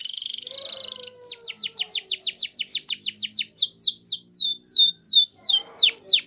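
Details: Canary of the Spanish Timbrado style in a training song: opens with a buzzy rattle, then a steady series of about twenty sharp descending notes, roughly three per second, with faint low background sounds.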